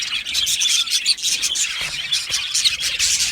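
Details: Australian budgies in an aviary, a short burst of crowded chirping and squeaky warbles from many birds calling together, pulsing in loudness.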